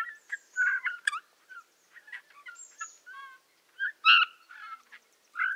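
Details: A Eurasian bullfinch sings a quiet, halting warble of creaky squeaks, soft piping whistles and short wheezy notes, in uneven bursts with brief pauses; Tula Oblast, Russia, 18 March 2015.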